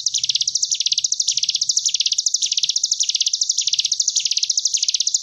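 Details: Sunda bush warbler giving a high, continuous buzzy trill that swells and dips in waves about every half second, like a machine-gun rattle, in the wasp-wave style; a training recording for young birds of 10 days to 3 months.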